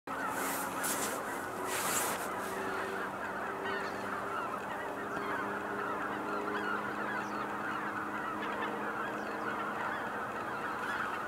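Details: Cackling geese at Kejonuma, a dense flock giving a continuous chorus of high, yelping honks that overlap without pause, with a few lower steady notes beneath and brief hiss-like bursts early on.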